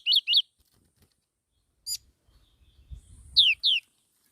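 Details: Two clipped, bright notes from a black-throated laughingthrush, then a short high burst and some low rustling. Two loud downslurred whistles end the phrase.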